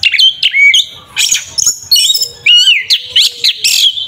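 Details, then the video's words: Kacer or Oriental magpie-robin, fighting song in tarung ngeplong style used as a lure to make a rival emotional; energetic run of loud high whistles, buzzy notes and quick slurred phrases. "Suara burung Kacer TARUNG NGEPLONG sangat efektif untuk pancingan Kacer agar emosi"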